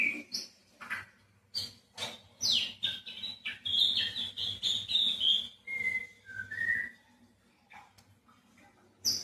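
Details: White-rumped shama delivering a long varied song of sharp clicks, sweeping whistles and rapid chattering notes, followed by short falling whistles and a quieter end, with a low background hum.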